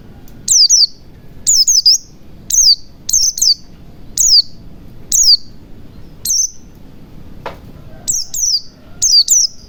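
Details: Ngalas-style white-eye lure for coaxing silent birds into steady song: sharp, high-pitched descending chirps, often paired, repeated about once a second with brief quiet gaps and one short click near the end.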